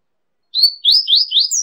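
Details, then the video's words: Double-collared seedeater, from a mix of five songs meant to stimulate kept birds: a brief high whistled note, then a run of warbling, slurred notes that rise and fall, with no other sounds. "CANTO;ESQUENTE SEU PAPA CAPIM COM UM MIX DE 05 ÁUDIOS CANTOS DIFERENTES"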